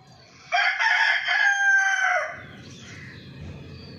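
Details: Chicken crowing loudly: one harsh, rich, sustained call of nearly two seconds with a slight wavering in the middle, then fading into quiet low rumble and faint chirps.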